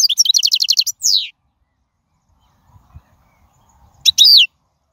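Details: A European goldfinch from the wild singing, for use in teaching fledglings: a fast even trill of high notes, then a drawn-out wheezy note, a long silence, and one more bright buzzy phrase.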